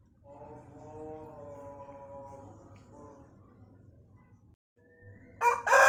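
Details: Pelung chicken, a breed prized for a long, melodious crow with winding cengkok turns that lengthens as the bird matures; a sustained, evenly pitched harmonic tone of nearly three seconds with a short tail, then quiet, then a sudden loud burst.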